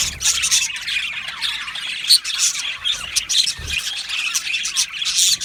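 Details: Australian budgerigar flock in an aviary: scratchy squawks and short chirps burst out in quick clusters over a continuous high warbling murmur.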